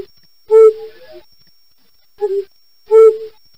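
Flammulated Owl giving three low, soft hoots, each short and slightly husky, spaced about one to two seconds apart.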